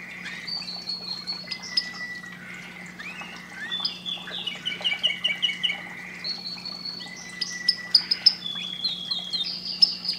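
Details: Canary song played to stimulate breeding: bursts of clear whistled notes and quick trills, some descending, separated by short pauses, with a steady low hum beneath.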